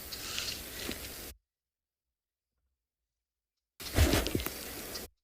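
Rustling, crunching and tearing noises separated by a stretch of complete silence, with no animal call audible.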